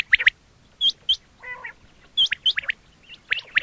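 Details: Quail calls, a recording meant for hunting: sharp hooked chirps and quick paired notes, broken by a short nasal, harmonic chatter in the middle, with brief silences between bursts.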